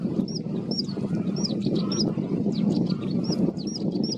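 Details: Territorial male bluethroat in reed habitat, singing a high clipped note repeated about twice a second over heavy low-pitched rumble and wind-like noise.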